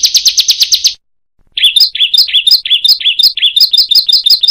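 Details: Bar-winged prinia song used to train other birds: a short burst of rapid buzzy notes, a brief pause, then a chain of sharp rising-and-falling chirps repeated about twice a second.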